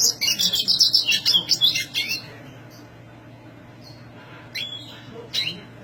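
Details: High-voiced black siskin pouring out a rapid, twittering warble for about two seconds, the notes pulsing quickly, then going quiet except for two brief, sharp chirps.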